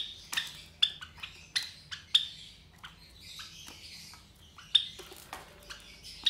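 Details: Three captive Java sparrow chicks about 23 days old, hatched from four eggs laid by white Java sparrows. Sharp, high chirps and squeaky notes burst out irregularly, with several loud clicks and softer chattering between them.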